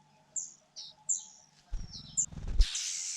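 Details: Fujian niltava chicks begging as their mother feeds them: a handful of short, very high chirps that slide downward, then low thumping and a loud rustling burst at the end.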